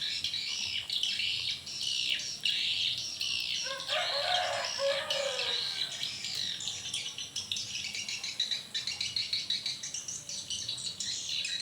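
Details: Swiftlets responding in the evening at a small swiftlet house: a dense, continuous wash of high, buzzy twittering chirps. A louder, lower rasping burst comes near the middle, and the chirping runs on steadily to the end.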